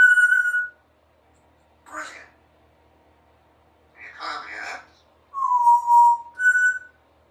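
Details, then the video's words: A pet female Congo African grey parrot, three years old, practising her words and sounds. A bright whistled note opens, then two rough, speech-like bursts follow after pauses, ending in a falling whistle and a short higher whistle. "African Grey Parrot practices her words and sounds"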